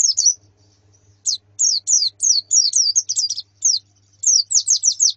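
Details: High white-eye chirps from a female and colony, meant to prompt a male's singing: brief sharp downslurred notes in loose clusters, separated by short silences.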